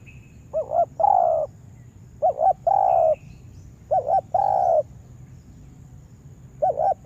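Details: Spotted dove decoy being taught to lure wild doves into a yard trap. Repeated phrases of two quick rising coos and one long throaty coo, about every one and a half seconds, with a faint distant chirp and steady high hum.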